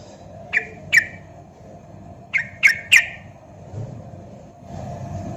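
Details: Javan sooty-headed bulbul, used as a lure recording to set other bulbuls singing, gives short bright chirps in two pairs, then a final note, over a steady low hum and background rumble.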